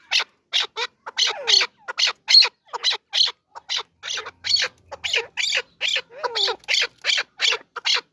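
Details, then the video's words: Partridge calling: a rapid series of harsh, rasping, broadband notes, about two to three per second, with some slurred overlapping notes. No other clear sounds. "کبک مست | صدا کبک مست| partridge bird call"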